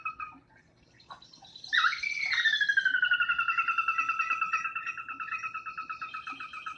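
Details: Sora whinny call at a marsh: a high squealing start, then a fast run of bright notes, about four per second, sliding down and fading. Underneath, faint low glugging of an American Bittern. Soras call often, by day and at dawn and dusk.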